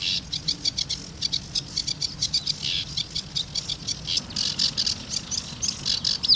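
Sedge warbler giving a fast, scratchy chattering song of rapid repeated chips and churrs, pouring out steadily with little pause.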